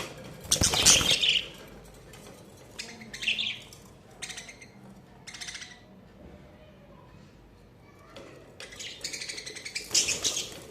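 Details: Budgerigars chattering in summer, with bursts of harsh, buzzy squawks and warbled notes in loose clusters, loudest at the start and near the end, separated by quieter gaps.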